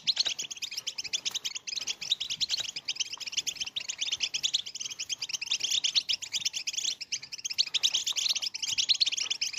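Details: European goldfinch, betbeta, tastasa and wrestling styles to prompt late females to mate: an extended, continuous high-pitched twittering of rapid buzzy notes with no real pauses.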